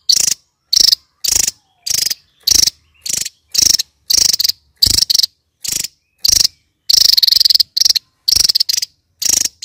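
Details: Kingfisher repeating harsh rattling bursts almost twice a second for nearly ten seconds, one longer churring run near the end.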